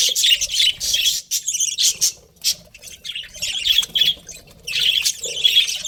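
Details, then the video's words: Budgerigars keep up steady high-pitched chattering, scratchy notes mixed with clearer squeaks, broken by a few short gaps. "Cute Budgies Chirping Sounds"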